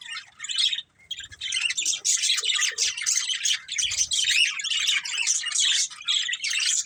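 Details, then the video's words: Pet budgies chirp rapidly after a short pause at the start, building into a steady run of sharp, scratchy twitters and warbles. "Cute Budgies Chirping Sounds"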